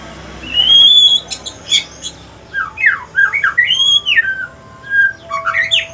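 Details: Male white-rumped shama, pastol mutation from Aceh, singing in the evening: a long rising whistle, then a fast run of varied sliding, chirping whistled notes in quick bursts, with a faint low room hum.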